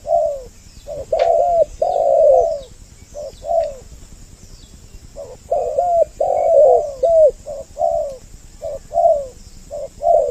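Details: Lure call of the spotted dove, a double-voiced recording meant to bring males and females near: repeated soft, rounded coos in clustered bursts with gaps of about a second. Faint high chirps appear occasionally behind them.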